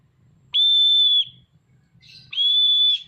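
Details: Oriental magpie-robin singing vigorously while spreading its tail: two long, level, pure whistles, each held under a second and separated by a pause, over a faint low hum.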